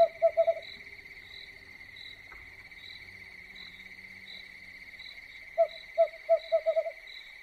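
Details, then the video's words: Owl at night, a quick series of low hoots at the start and a second accelerating run of six hoots near the end, with continuous shrill cricket chirping throughout. "Suara burung hantu yang menyeramkan"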